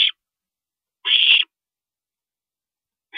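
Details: At an owl nest at 2:40 AM on April 22, 2012, as a parent stops over: one full harsh, hissing screech of about 0.4 seconds, with clipped bursts at either edge.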